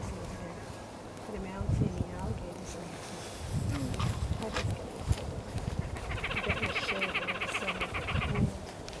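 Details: Anhinga seen at very close range at Huntington Beach State Park, giving a fast, dry clicking rattle for about two seconds, over people talking quietly nearby.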